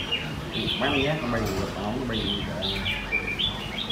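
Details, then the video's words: Competition song of red-whiskered bulbuls held in cages at a Sunday-morning contest in Quy Nhon, Vietnam, 21 June 2020. Short looping whistles swoop up and down in spaced bursts while a man's voice talks underneath. "Hội Thi Chào Mào Hót Đấu Giàn – Luyện Giọng Chào Mào Hót Sáng"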